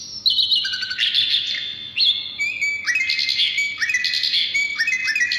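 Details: Asian brown flycatcher singing busily, meant to draw in and train other songbirds: bright high whistles and rapid chips, with several sharp notes sliding down then jumping back up.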